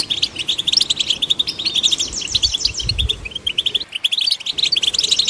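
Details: European goldfinch song, used to stimulate goldfinches, as a rapid run of bright twittering and tinkling notes with short buzzy trills, almost unbroken, a brief pause near four seconds, faint low rumble beneath.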